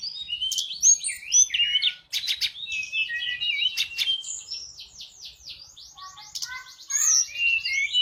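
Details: Sunda robin, called tledekan gunung, in vigorous song used as a lure for other birds: varied whistles and chips leading into a long series of fast repeated downslurred buzzy notes, then sweet whistled phrases.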